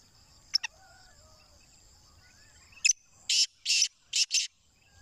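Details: Black francolin, a captive bird: after quiet hiss and two sharp clicks, a rapid harsh call of four loud grating notes in quick pairs, with faint chirps and a steady high hum behind.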